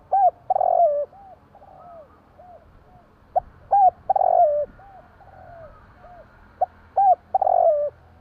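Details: Spotted dove calling by night, repeating its phrase three times: sharp short notes, a hooked coo, then a buzzy rolling coo that falls away, trailed by softer downslurred notes.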